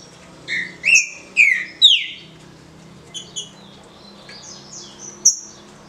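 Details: Captive green-winged saltator in the 'de roda' easy-song style: four loud whistled notes, some sliding down and some rising, in quick succession, followed by fainter high, thin notes and one sharp high whistle at the end.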